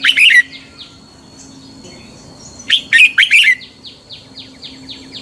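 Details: Red-whiskered bulbul fighting song used to train morning singing: a brief warbled burst, quiet gap, then a loud fast phrase of rich notes trailed by a series of thin descending chirps.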